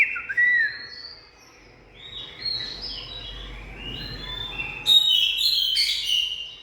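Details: Oriental magpie-robin with a loud opening whistle, then quieter soft warbled notes over faint background hiss, closing with a louder burst of scratchy, buzzy high notes.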